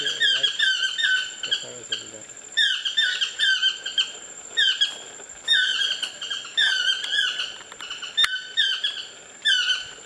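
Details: Chestnut-mandibled toucans, one calling to another up in trees near a bungalow on Costa Rica's Osa Peninsula; long sequence of yelping, falling harmonic notes in rhythmic bursts roughly every second, a sharp click midway.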